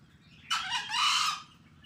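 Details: Green junglefowl crowing during a practice session at the edge of a rice field beside a main road: one harsh, hoarse two-part crow lasting about a second, with a brief break midway, over a low hum of traffic.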